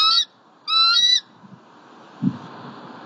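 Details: Bald eagle at a nest tree in Southwest Florida on an October afternoon, the female calling loudly as her mate delivers a squirrel: two squealing, harmonic notes, the second longer, then quiet with low rumbling background noise.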